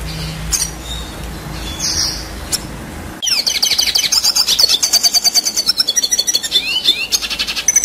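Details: A red siskin sings a long, fast, high twittering song of buzzy trills and chirps that rolls on without pause after a short quieter start. This long-duration song is used as tutor material for contest birds.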